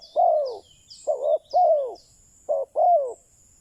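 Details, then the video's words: Decoy spotted dove calling to lure wild doves: low, mellow, arched coos, five in under four seconds in uneven groups, the last notes drawn out and falling, with faint thin high whistles of other birds behind. "Chim cu mồi chuẩn thúc bổi, kích bổi nhanh nổi/ Burung Terkukur"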